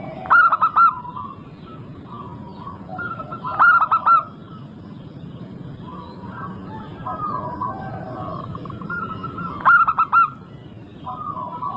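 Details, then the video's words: Vigorously singing local zebra dove, recorded to coax others into song: three loud phrases of four short coos, spaced several seconds apart, with gentler cooing from other doves and a low rumbling backdrop. "Pancingan super ampuh untuk semua jenis burung perkutut."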